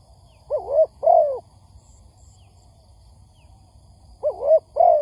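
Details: Spotted dove on a trapping lure recording. Two hollow cooing phrases, each a short note then a longer falling coo, separated by roughly three seconds of quiet.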